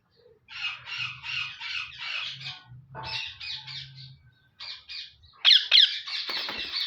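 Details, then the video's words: Male parrot, active in its cage, utters rhythmic raspy squawks in quick succession, then louder, shriller screeches in the final two seconds. "Active Male parrot. enjoying in cage."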